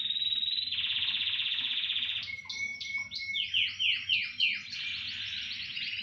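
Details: A chorus of canaries. A steady, even trill runs on, then a series of quick downward-swooping notes follows and builds into dense overlapping warbling.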